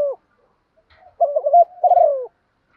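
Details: A female spotted dove calls to prompt males into cooing. One soft cooing phrase ends a first note, then a wavering double coo and a long, gently falling note follow, with no other sounds.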